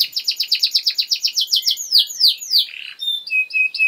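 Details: Singing canary used as a master song for tutoring young birds: quick repeated high notes, then slower downward sweeps and a few short whistles near the end.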